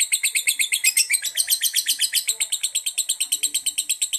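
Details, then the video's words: Semi-konslet singing by a yellow lovebird of fighter type: crisp, shrill notes repeated quickly and evenly, around four each second, with no other clear sounds. "Yang Kuning Yang Asik l Lovebird Paskun Fighter Semi Konslet"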